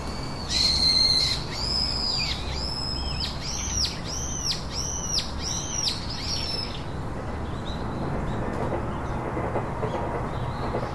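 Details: Three baby birds in a nest: a run of about eight loud, high, arched chirps repeated roughly every 0.7 seconds, fading out after seven seconds into quiet background hiss.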